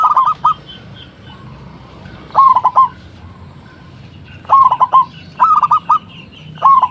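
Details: Zebra dove of a local Indonesian strain giving lure calls meant to draw responses from other doves: brief stuttering phrases of quick, mid-pitched coos, repeated every second or two, over a steady low hum.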